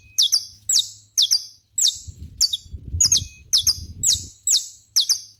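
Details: Saffron finch singing outdoors in natural surroundings: loud, sharp, high chirps repeated roughly twice a second, each note dropping quickly in pitch, with faint low rumble behind.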